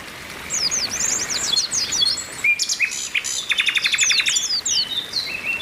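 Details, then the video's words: Oriental white-eye females calling together to rouse males, as singing therapy; a burst of high slurred chirps, then a fast rattle of short repeated notes with twitters above, ending in softer whistles. "TERAPI PLECI OMBYOKAN BIKIN CEPAT GACOR"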